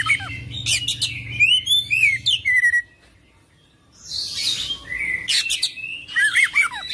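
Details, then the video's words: Oriental magpie-robin, full of mimicked phrases, in rolling song: bright whistled slurs and sharp downward sweeps, a pause near three seconds, then a hissy burst and more rapid chattering whistles. "Kacer Full Isian ngerol gacor dorrr"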